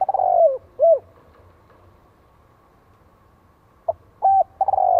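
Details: Spotted dove call from Vietnam, played to lure and provoke wild doves: low, mellow coos near the start, then short clipped coo notes and a longer coo at the end, separated by quiet gaps with faint low hum.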